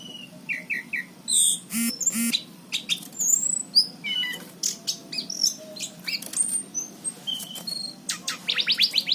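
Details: Orange-headed thrush singing energetically around Cirebon in 2019: quick triple whistles, harsh rattling bursts and high chirps, ending in a rapid series of about seven identical sharp notes.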